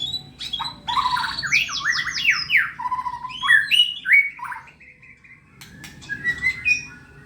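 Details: Caged white-rumped shama prepared for competition singing a rapid run of loud buzzy downward sweeps, then repeated whistled notes and a softer close.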